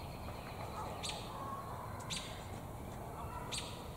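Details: Faint sharp chirps, three in four seconds, from an American robin in a tree carrying damselflies in its beak, possibly looking for a mate; constant low background noise.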